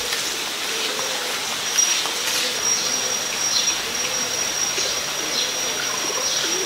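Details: Coppersmith barbet (Psilopogon haemacephalus) in Ubon Ratchathani, Thailand, 23 January 2020, giving low, hollow 'tuk' notes about twice a second, over steady background hiss and a thin high insect whine.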